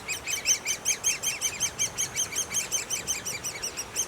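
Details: Nestling great spotted woodpeckers in the nest giving a steady stream of high, squeaky chirps, roughly three every second in an even pulsing rhythm.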